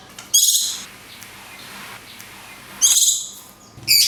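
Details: Cungkok 'tembakan kunti panjang' song with natural gaps, recorded to train songbirds: two rich, buzzy bursts of chirping notes separated by a quiet pause of about two seconds, with a third burst starting at the end.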